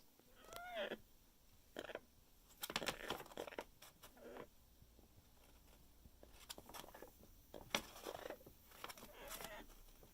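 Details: Pet parrot in a paper bag nest on Hilton Head Island, South Carolina, making sounds of joy: a few short, curving, nasal calls early on, set among crisp bursts of paper rustling and crinkling in a quiet room.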